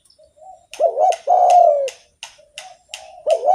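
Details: Spotted dove singing actively, used to stimulate other doves: soft low notes lead into a wavering coo and a long downward-sliding note, then quieter notes and a new phrase starting, with crisp clicks throughout.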